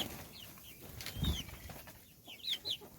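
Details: Little chickens chirping while being fed a meal; a few high, falling peeps scattered over three seconds, clustered near the end, with soft rustling and pecking noises around them.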